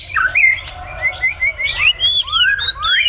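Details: Short stretch of white-rumped shama song in the morning: a chain of bright, slurred whistles, mostly rising, delivered rapidly with a few sharp ticks mixed in.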